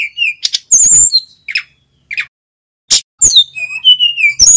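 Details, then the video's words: Loud song of a male mountain flycatcher, played to spur young wild-caught birds to sing. Sharp clicking bursts and high sliding whistles come in uneven spurts with short gaps, ending in a run of falling whistled notes. "Burung SIKATAN GUNUNG Jantan FULL GACOR ‼️ Suara pancingan Tledekan BAKAU Jongkangan SRDC agar EMOSI"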